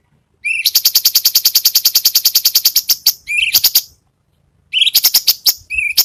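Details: Cucak cungkok song used as master song for training songbirds such as murai batu and cucak ijo, in besetan style: fast bursts of sharp, high, clipped notes repeated several times a second, broken by brief pauses and rising chip notes.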